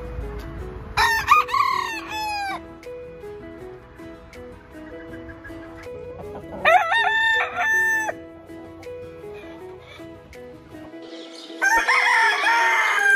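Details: Three separate rooster crows, each a loud, harsh, harmonic call of one to two seconds, spaced several seconds apart over continuous soft background music.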